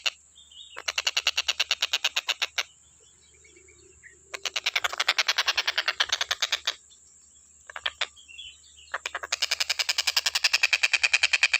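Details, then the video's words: Stork-billed kingfisher in a tutor recording for training cage birds: three bursts of fast grating notes, about three and a half per second, separated by silent gaps with a few soft whistled notes and a steady high hiss. "TENGKEK BUTO KHUSUS BUAT MASTERAN,FULL KICAU GA ADA BERHENTI NYA"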